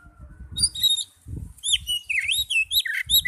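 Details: Young or non-singing Oriental magpie-robins, kept birds, hear a therapy recording meant to start them singing: varied whistled phrases with sweeping, slurred notes and high chirps, over low rumbling background noise.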